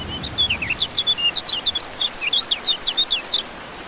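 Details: Kecial kuning (white-eye), used as rain therapy to make silent birds sing: a clear, fast, continuous twitter of high whistled notes, mixing sweeping slurs and flat tones, about twenty notes in under four seconds.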